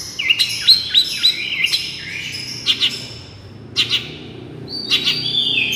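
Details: Long-tailed shrike song used as a lure and therapy sound: rapid bursts of sharp, high chirps and short rising-falling whistled notes, some clicky, spaced by brief pauses, with faint low background hum.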